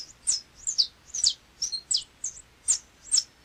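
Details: Saffron Finch of Brazil, called canário-da-terra: scattered bright high chips and short slurred twitters, irregularly spaced, softer and with faint background hiss.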